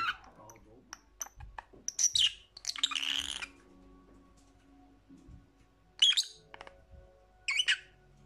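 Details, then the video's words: Lovebird chirps and squawks in short bursts, harsh and high-pitched, with scattered faint clicks and low hum between the bursts. "Lovebird Sounds for Lonely Parrots"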